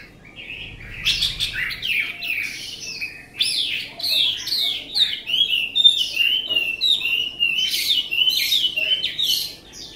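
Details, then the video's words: Chinese hwamei delivering a rich, fast song of rising and falling whistled slurs and clear ringing notes, phrases running together continuously with no other sound. "Họa Mi cổ vũ u23 Việt Nam 2018"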